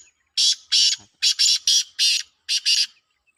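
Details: Black francolin, known locally as kala teetar, calling in a competition in Pakistan: a rhythmic series of loud, rasping, grating notes, some paired, about eight bursts over three seconds.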